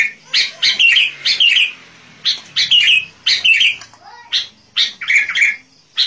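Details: Sooty-headed bulbul in lively song for attracting wild birds; bright, bubbling phrases of two or three rich whistled notes repeat with short pauses, about every half second.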